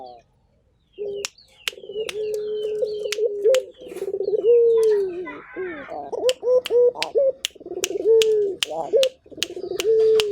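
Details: Local puter turtle dove from Indonesia calling energetically: low rolling coos stretching into long tones and rising hooks, repeated in sequence, punctuated by frequent sharp clicks.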